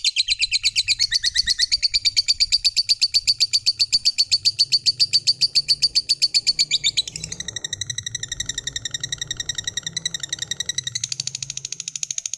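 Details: Fighter lovebird delivering an extended ngekek trill to spur other lovebirds into song: a fast, unbroken chatter of shrill notes for about twelve seconds, changing texture twice, over a soft low background hum.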